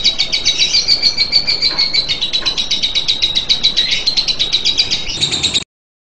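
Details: Sustained ngekek trill of a lovebird: rhythmic, high, rattling pulses in quick regular succession for over five seconds, then ending abruptly in silence.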